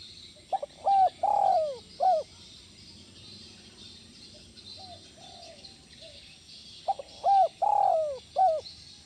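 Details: Spotted dove sound used to calm stressed captive doves: two full cooing phrases, each short notes framing a long drawn coo, with faint softer coos between, over constant background hiss and high buzzing.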